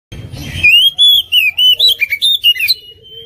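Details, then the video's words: Oriental magpie-robin, a competition bird described as a 2021 national champion, singing in the 'full isian tembakan mewek' style: a brief noisy burst, then a loud run of clear whistled notes rising and falling, sharply separated. "Kacer gacor full isian tembakan mewek"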